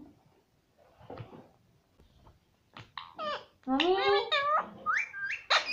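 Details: A pet green ring-necked parrot repeats "mummy" in a raspy, high, speech-like voice, several times in the last two seconds, after quiet room noise.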